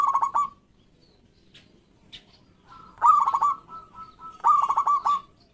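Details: Local zebra doves, males and females answering one another, to stimulate quiet doves: pulsing trilled coo phrases open and close the passage, joined by a long steady coo, with brief faint chirps in between.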